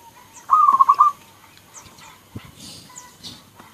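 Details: Local zebra dove (perkutut lokal) among several calling birds: one short rapid run of rolling, trilled cooing notes lasting about half a second, over a noisy background with faint distant sounds.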